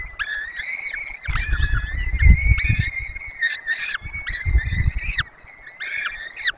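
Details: At a webcam-watched nest in Poland's Barycz Valley, peregrine falcons call while four chicks are fed: a near-continuous series of long, nasal wails, some broken into short stuttered segments, over intermittent low thumping.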